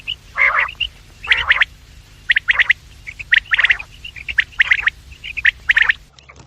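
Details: Quail calls used as a trapping lure, heard morning and evening: short clusters of clipped, high notes mixed with harsh raspy bursts, repeated about once a second with uneven spacing.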